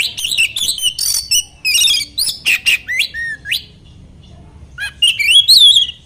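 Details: Oriental magpie-robin singing to provoke fellow magpie-robins: a rapid string of sharp whistles, scratchy chatter and down-slurred notes, a quiet gap, then a rising fluting phrase.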